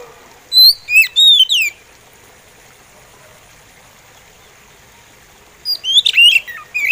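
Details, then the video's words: An Oriental magpie-robin sings slowly: two bursts of sweet, varied whistles, slurred up and down, with a pause of about four seconds between them. "SUARA SLOW ORIENTAL MAGPIE ROBIN"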